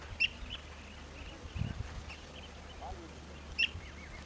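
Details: A blue-tailed bee-eater at its nest gives two short, sharp, high calls about three seconds apart, with fainter chirps between them, over a low background hum and a soft thump.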